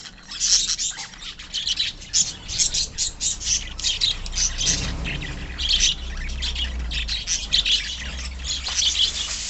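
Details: Colony of pet budgerigars producing loud, rapid chirps and harsh squawks in clustered bursts, with a low rumbling noise underneath partway through.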